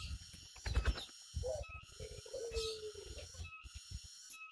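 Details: Tame turtle dove in the open air gives a low, smooth, drawn-out coo lasting about two seconds, slightly falling. Thumps and rustling noises come before it, and a constant background hum continues throughout.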